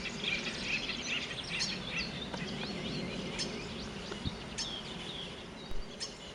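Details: An invasive European Starling in North America copies other birds, running through a jumble of mimicked calls: high whistles, chirps and clicks in quick, irregular succession, over a steady low rumble of background noise.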